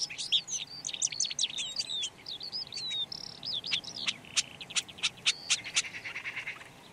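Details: Red-backed shrike (Lanius collurio) singing a fast, chattering medley of squeaky notes, slurred whistles and a brief buzzy tone, followed by spaced, sharp clicking notes.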